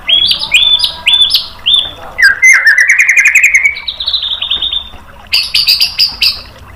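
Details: White-rumped shama tutor song to provoke a bird into replying: a series of stepped, falling whistled notes, a long fast rising chatter, a thin level trill, then loud rapid clicking bursts.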